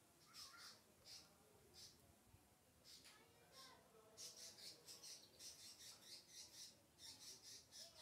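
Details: Lovebird chattering in repeated short, high, harsh chirps, sparse at first and then coming about three times a second in the second half, over a steady hiss of background noise.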